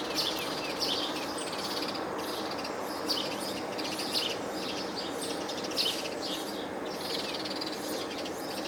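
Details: A chorus of house sparrows on the Cornell University campus, Ithaca, New York, 20 June 2024, near a Red-tailed Hawk family, gives short, bright overlapping chirps about every second over wind hiss and distant noise.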